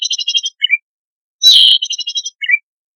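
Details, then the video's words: Zitting cisticola, chattering 'gacor' song meant as a lure for newly trapped wild birds; rapid rattling series of high ticks, a dropping two-part chip, one loud buzzy burst, then another tick series and chip. "Cici Padi Gacorrrrrr Dorrr Ampuh Untuk Pancingan Bunyi Burung Liar Baru Ditangkap"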